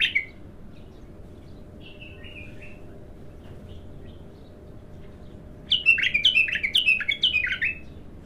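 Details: Bulbul, untrained and singing for the first time, offering faint gliding whistles before a loud, fast series of about eight repeated warbled notes.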